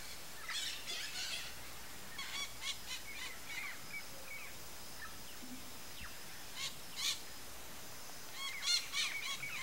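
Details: Sayaca tanager uttering irregular bursts of high, thin chirps and squeaks, with clusters near the start and end and a soft background hiss between them.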